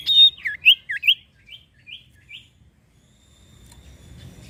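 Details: Iora (sirtu) song used as a lure for other birds: a loud clear whistle, dipping swooping notes, then three softer repeated upslurred whistles fading away into light background hiss.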